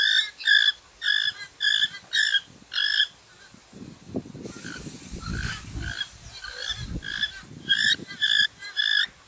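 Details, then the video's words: Western swamphen, Porphyrio porphyrio, uttering loud nasal honks in quick series, about two per second, pausing amid low rumbling and rustling before the honking series resumes. "Western Swamphen (Porphyrio porphyrio) Camão, Galinha-sultana"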